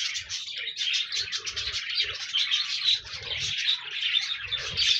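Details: Pet budgies warbling in pulsing waves of rapid chirps and twitters, several birds together, with soft low notes and light thuds underneath, meant to coax a lonely pet budgie into song.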